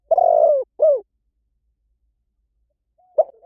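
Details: Spotted dove giving a long rough coo that drops in pitch at the end, then a short falling coo. Over two seconds of silence follow before a single soft opening note.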